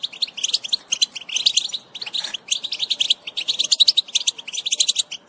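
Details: Chorus of European goldfinches giving group chatter intended to stimulate singing; quick, bright, jangling twitters in clustered bursts about every half second, high and metallic throughout.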